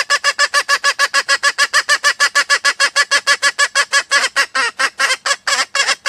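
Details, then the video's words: Sumatran female red junglefowl giving a lure call that brings males near or prompts crowing: a continuous run of harsh, nasal cackling notes, fast and fairly even throughout. "Suara Ayam Hutan Betina"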